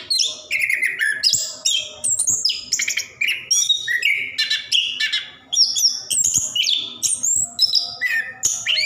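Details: Continuous ngerol song of an orange-headed thrush, plontang form, used to prompt birds slow to sing: rapid clear whistles sliding up and down, mixed with buzzy trills, strung together without breaks.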